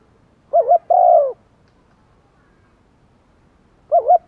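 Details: Decoy spotted dove cooing to attract wild doves, in the 'gáy gọi một hậu' calling style. One phrase of a wobbling two-note lead-in and a long mellow hoot, then a long pause before the next lead-in.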